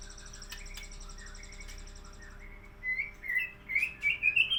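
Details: Lively sooty-headed bulbul of the Badheuk Ladong line: after a quiet start with a high buzzing drone, a run of short, bright, rising whistled phrases grows louder toward the end.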